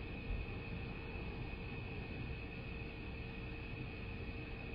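Steady, low rumbling drone with a constant high hum and a mid-pitched tone running throughout, like a distant engine or vehicle noise; no animal calls are heard.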